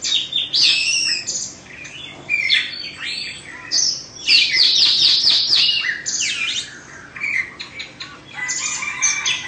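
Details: Caged Oriental magpie-robin of Indonesian stock, a bird of two seasons, sings a loud, varied run of sharp whistles, rapid trills and buzzy notes in bursts separated by short pauses.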